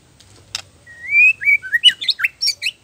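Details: Gacor oriental magpie-robin song with isian fills, played to coax other males into singing: a long rising whistle followed by a rapid run of sharp, chirpy, up-and-down notes.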